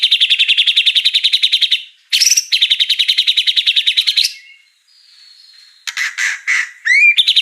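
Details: White-rumped shama song rich in mimicked fill-ins: two long, fast, buzzy trills split by a bright rising whistle, then a thin high note and a burst of chattering notes ending in a rising slur.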